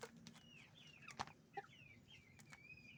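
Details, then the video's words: Hens and roosters on a chicken farm: abrupt clucks and clicks mixed with drawn-out high peeping notes that slide downward, over a low mechanical hum. "Moment of the sound of a chicken farm, roosters and hens making noise"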